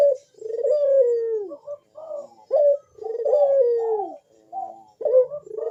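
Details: Spotted dove giving big, sharp 'bekur' coos in the manggung style meant to draw calls from other doves; long falling coos alternate with brief clipped notes, roughly a phrase every couple of seconds.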